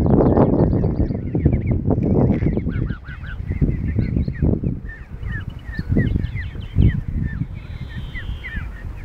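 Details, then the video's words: A flock of geese, young ones among them, in a car park in York: busy overlapping honks, short and nasal, tumbling out several per second amid heavy low rumbling noise. "Geese kicking off"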